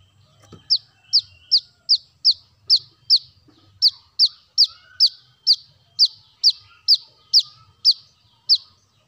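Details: Brown-throated sunbird, known locally as kolibri kelapa or kolibri manggar, recorded as a lure sound for birds: sharp, high, downward-sliding chips repeated about twice a second in a steady series, with a faint low rumble beneath.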